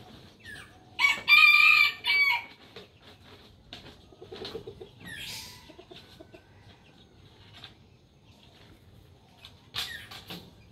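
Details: Crowing rooster: a single bright, buzzy crow near the start lasting about a second, then scattered clucks, short squawks and a sharp call near the end.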